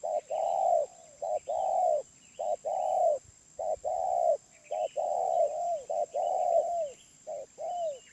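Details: A wild, medium-voiced spotted dove coos strongly and repeatedly: rhythmic phrases of short notes and long, gently falling coos, roughly one a second, with faint chirps of other birds higher up.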